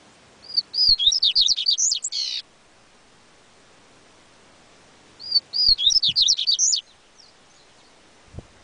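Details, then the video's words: Two loud phrases of yellow-bellied seedeater song, about five seconds apart. Each strings together rapid, high, slurred whistles; the first ends in a harsh buzzy note. A low thump is heard near the end. "COLEIRO BAIANO"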